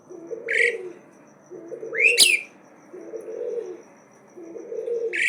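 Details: Unafraid Asian pied starling keeping up its challenging song: sharp rising screeches, one very loud and raspy, alternating with soft low phrases at even intervals.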